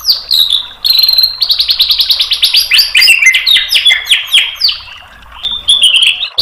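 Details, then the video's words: Provoking tutor song of a white-rumped shama, used to stir a bird into answering: a fast rattling series of bright descending notes, then loud swooping whistles and sharp chips, with a brief lull before a final burst. "MASTERAN MURAI BATU memancing EMOSI jadi NYAUT GACOR BONGKAR MATERI TEMBAKAN"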